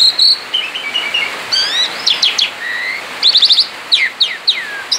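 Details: Singing outside the cage, a male Asian pied starling gives ngerol song: a high whistle, soft buzzy trills, rapid stacked clicks and a series of steep descending whistled notes.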